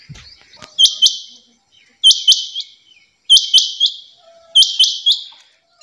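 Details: Steady series of female rain quail calls, each burst two to three ringing high notes, repeated about every 1.2 seconds with clean silence between.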